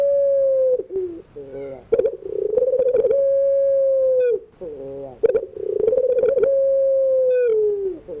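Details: Steady evening cooing of a puter pelung dove, long sustained coos alternating with short rough, stepped notes, in an even rhythm throughout.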